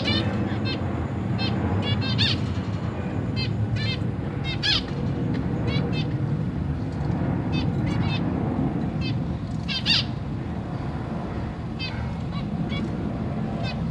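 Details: Caged zebra finches, a pair with three juveniles and three newly hatched chicks that parents are busy feeding; short nasal stacked calls repeat in scattered bursts over a steady low rumble of background noise.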